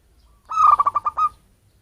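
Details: Lure call of a wild-origin local zebra dove, not bred in captivity: one short cooing phrase, an even tone broken into about six quick throbbing pulses, the last note held slightly longer.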